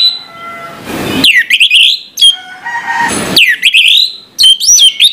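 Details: Morning song of an orange-headed thrush: sharp downslurred whistles and warbled phrases between two loud hissy bursts, with faint steady tones underneath.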